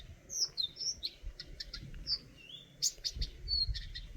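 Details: Eurasian nuthatch giving sharp, high chirps, some with quick downward flicks, plus one longer rising whistled note midway; the calls come in quick irregular bursts over faint background rumble.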